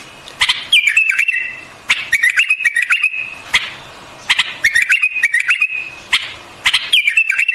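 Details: White-eared bulbul singing in repeated phrases about every two seconds, each a sharp note followed by a gliding, wavering whistle, with softer chirps between.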